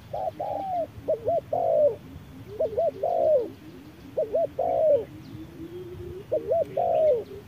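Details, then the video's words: Spotted doves dueling, a decoy against a wild bird at midday under harsh sun: overlapping stuttered coos and longer falling notes from more than one bird, with a soft low repeated hum underneath. "MỒI MÁY DẬP ĐẤU BỔI GIỮA TRƯA NẮNG GẮT BỔI HÁ CẢ MỎ"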